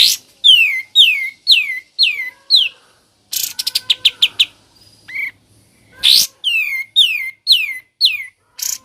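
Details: Sooty-headed bulbul singing ngebren: rows of loud, downslurred whistled notes about twice a second, broken by a fast rattle of sharp chips, then more falling whistles.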